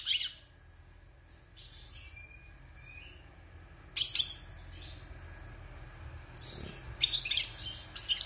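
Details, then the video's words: Wild European goldfinch kept in a cage for six months after its moult, producing a few scattered bursts of high twittering and buzzy notes with long quiet gaps between them. "Chant de Chardonneret sauvage (Repassage)|غناء حسون خلوي خارج من تغير الريش"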